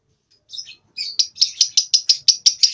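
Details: Lovebird aged about two months learning to sing; two soft opening notes, then a quickening run of sharp chattering pulses, roughly five per second.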